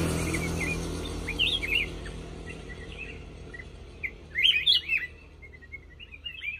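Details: Black-crested bulbul song of scattered short whistled notes that build into a loud, rapid run of tumbling warbled phrases near the end. A low rumble fades at the start.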